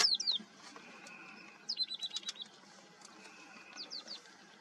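Red-necked Falcon giving high, shrill, down-slurred notes, then a quick run of about eight sharp repeated notes, over faint steady background hiss.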